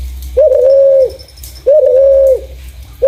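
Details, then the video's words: Clear spotted dove coos used to lure other doves: two drawn-out, even notes with a short rising start, then the start of a third, with a quiet background. "Burung Terkukur // Suara jernih cocok untuk pancingan"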